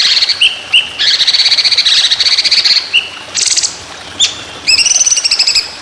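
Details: White-rumped shama training song for bird contests: brief whistled notes, long grating trills, a dense buzzy burst and a final rattled trill.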